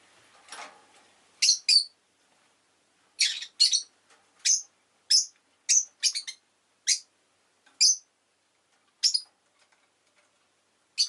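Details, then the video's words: Domestic rosy-faced lovebird chirping steadily: a string of about fourteen short, piercing high chirps, often in quick pairs, spread evenly through the stretch against an otherwise quiet room. "Lovebird Chirping Sounds"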